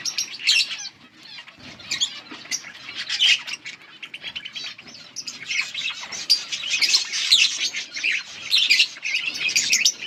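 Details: Several yellow budgies in steady chatter, August 18, 2024, with rapid scratchy chirps and warbled notes overlapping throughout, louder bursts around the middle and toward the end.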